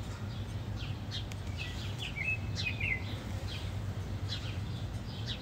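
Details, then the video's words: House sparrows in a fight: scattered sharp chirps, including a short twittering run with wavering notes midway, over steady low background noise. "The Epic House Sparrows Fight"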